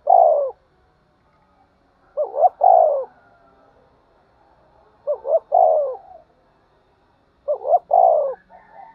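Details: Fight-provoked spotted dove cooing: four phrases, each a quick double note leading into a drawn-out, falling hoot, spaced roughly two to three seconds apart, with quiet murmuring between and a faint higher whistle near the end.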